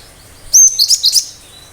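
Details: Cinereous tit singing in vigorous sharp bursts, meant to make other birds respond and imitate: a high thin whistled note, then four quick, high, sharp chirped notes over about half a second, with a quiet background.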